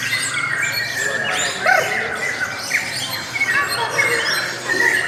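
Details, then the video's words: Squawky lovebird chatter mixed with thin whistles and buzzy squeaks, a dense continuous stream with a few louder harsh notes standing out, followed by a voice speaking. "LOVE BIRDS suara yang indah dan Panjang"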